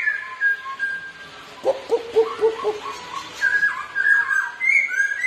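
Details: Two Black-throated laughingthrushes sing against each other while dancing. Clear whistled notes open the passage, then a quick run of low rolling, stuttering notes, and finally bright looping whistles that rise and fall.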